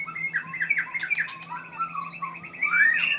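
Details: White-rumped shama from Merapoh, Pahang, aged four with a 7.6-inch tail, sings a line of short whistled slurs and chattering notes, ending in a louder rising-falling whistle, over a steady low hum.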